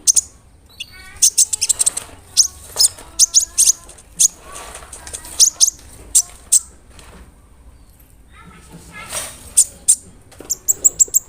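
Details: Brown-throated sunbird in full voice, a big-bodied bird whose song serves as a lure to make rival sunbirds more aggressive. A long, lively series of high chirps, buzzy notes and short trills.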